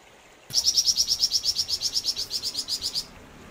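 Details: {'caption': 'Energetic song of a flamboyan bird: a sudden onset into a long, even series of high, piercing chirps repeated rapidly for about two and a half seconds before stopping.'}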